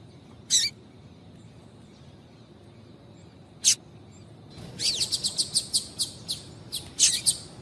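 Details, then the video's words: Female Double-collared seedeater calling to excite a male: two isolated sharp, high chips, then a fast run of about a dozen bright chip notes near the end, on a faint steady background hum. "Piado de Fêmea de Coleiro para Esquentar Coleiro"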